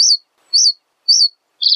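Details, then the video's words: A reed bunting (Emberiza schoeniclus) sings a simple, high phrase: three short chirping notes about half a second apart, then a flatter, buzzier closing note, with no other sounds. "Reed Bunting Song! Reed Bunting Call! Sound! Voice - Escribano Palustre Canto - Emberiza Schoeniclus"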